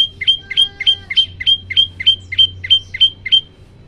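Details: Training song of an olive-backed tailorbird meant to prompt other birds to sing: ten clear, piercing chirps repeated at an even pace of about three per second, each note bright and sharply slurred, with a faint low hum behind.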